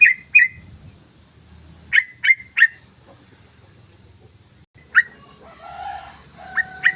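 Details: Yellow-vented bulbul (trucukan) in long rapid 'ropelan' song: short, bright, mid-pitched chirping notes, two at a time and then in a quick triplet. Later come scattered single notes and a few held, lower, whistled tones.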